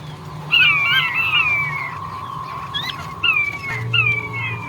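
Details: A male king quail whistles in sliding, downward notes, a long group then two shorter ones, over a steady hum with low rumbling.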